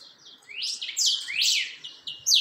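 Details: Creamy-bellied thrush, locally chalchalero, steadying its song in a rapid string of high, rising-then-falling whistles and buzzy slurs run closely together, over faint background hiss.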